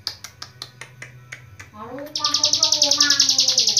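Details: Hill prinia, called ciblek gunung, Cililin long-breath song; a few spaced clicking notes, then a sudden fast high trill from two seconds on, with lower warbling underneath.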